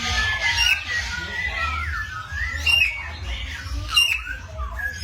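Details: Morning bird voices: loud squawky whistles slide downward and upward in uneven bursts, with several birds overlapping and a low steady rumble beneath.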